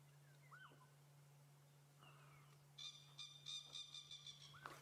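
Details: On a morning sunrise drive on 22 October 2016 during rain, an unseen francolin, possibly in a tree, gives a harsh, grating run of rapid, rhythmic high notes in the second half, over a steady low engine hum, with faint whistles earlier.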